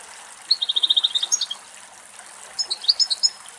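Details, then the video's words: European goldfinch, two adult males drinking water deep in a Greek forest during a summer heatwave: a rapid run of about ten even, high chirping notes, then a twittering burst after a pause, over a faint trickle of water. "Καρδερίνα Κελάηδημα"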